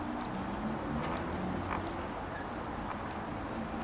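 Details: High, sibilant trills from waxwings in Bryansk city in December 2023, short bursts repeated every second or so against a loud, low traffic drone.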